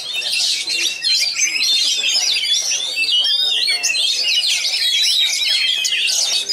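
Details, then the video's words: Kacer, an Oriental magpie-robin from Pasbar noted for rich, rapid, tightly packed song material, pours out a continuous stream of shrill chirps, trills and harsh squeaky notes, the busy phrases running on without a break. "Materi mewah speet rapat salah satu Kacer terbaik Pasbar"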